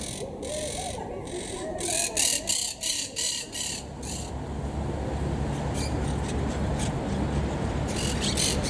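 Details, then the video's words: Wild monk parakeets in treetops at Estepona, southern Spain, October 2021, courting and collecting nest material; loud grating squawks in rapid bursts for about four seconds, a faint low wavering sound beneath, then scattered distant squawks over constant rumble. "Mönchssittiche (Myiopsitta monachus) - Südspanien"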